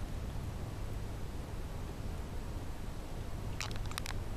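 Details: Steady low hum and hiss with a few sharp clicks near the end, and no animal calls.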